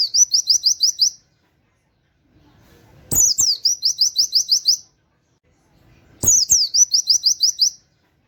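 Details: Oriental white-eye performing its rapid 'wit wit' canary-style song as a training master: three bursts of seven or eight high, piercing down-slurred notes, each about three seconds apart, opened by a soft thud.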